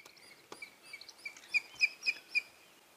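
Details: At sunrise on 7 September 2016, the female of a nest-building pale-form pair of Wahlberg's eagles calls at the nest just after mating: thin, high whistled notes, about three a second, growing louder; soft clicks early on.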